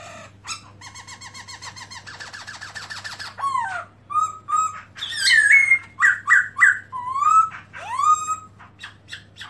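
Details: Black-throated laughingthrush opening its tail while singing, recorded in 2017: nasal, buzzy harmonic notes give way to a fast run of repeated notes, then loud, slurred whistled phrases, some rising and some falling, over a steady low hum.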